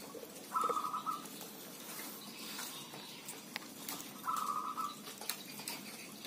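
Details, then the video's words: Quiet recording of village zebra doves in busy song: two brief rolling coo-trills about three and a half seconds apart, with faint clicks and ticking sounds in the background. "Merbok kampung bunyi ramai"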